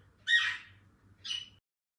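A grey parrot gives two harsh, squawking calls about a second apart, the first loud and broad, the second shorter and slightly higher.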